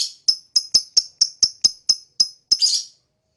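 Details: Lovebird chirping: a series of about ten short, sharp, high chirps spaced roughly a quarter second apart, ending in a brief rougher buzzy note, against an otherwise silent background.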